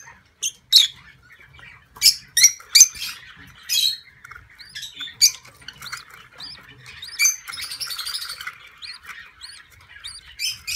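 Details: Budgerigars at a nest during inspection, a first-time breeding female nervously defending her chicks, with a 15-day-old chick shown: harsh scratchy chatters and squawks in irregular bursts, a couple each second, high chirps mixed in.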